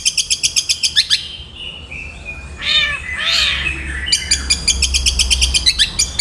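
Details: Caged long-tailed shrike on a training recording, singing in a fast, tight 'nyeklek' style: rapid harsh buzzy notes pulsing several times a second, then thin whistles and a harsh cat-like squall, then the rapid buzzy bursts again.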